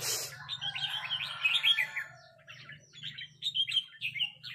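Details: Red-whiskered bulbuls trading rik calls, one bird responding to a resident territorial bird: a dense rippling chatter of warbled notes, then separate sharp chirps, over a low steady hum.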